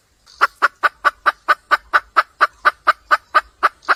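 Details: A red junglefowl hen in the wild calls for a male with an even string of about sixteen short, rasping clucks, roughly four each second, evenly spaced and steady in loudness over a quiet background.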